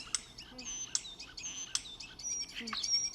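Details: A male Common Starling sings a busy jumble of thin high whistles broken by sharp, dry rattling clicks about once a second, with other bird species calling faintly behind. Such song opens with an intro whistle, can last up to a minute and attracts females.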